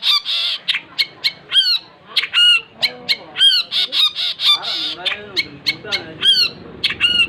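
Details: Long-tailed shrike in full lively song, rapid harsh and whistled notes delivered in quick succession with mimicked phrases, some lower warbling sounds in between.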